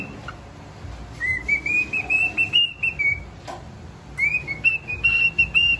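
A cockatiel whistles a run of clear, slightly rising notes, pausing briefly before starting again.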